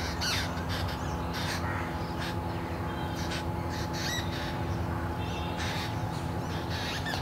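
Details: Two Jungle Babbler hatchlings, fallen early from their nest in a bamboo thicket with dry leaves, beg loudly for a parent's attention with wide-open beaks: harsh, raspy bursts repeated in quick irregular runs over a steady low hum.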